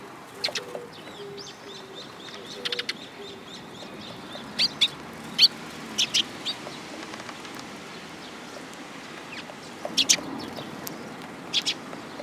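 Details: Sparrows coming to be fed at a Tenmangu shrine on 3 July 2022, giving short, sharp high chirps scattered in bursts, with low cooing pigeons early on.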